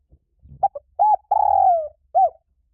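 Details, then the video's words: Spotted dove call played as a quick-response trapping lure. A few soft clipped notes lead into three coos: a short one, a long drawn-out coo that droops downward, and a short closing note. "Tiếng chim cu gáy kích bổi nhanh nổi cực nhạy"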